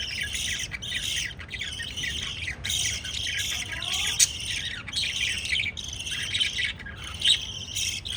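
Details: Pet lovebirds kissing and feeding chicks keep up high, rasping chirps in runs broken by brief pauses, with a faint softer warble in the middle.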